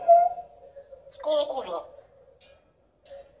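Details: Red-tailed African grey parrot talking in Spanish: a steady mid-pitched whistled tone, then a brief raspy, voice-like phrase, and a short return of the whistled note near the end, in a quiet indoor setting.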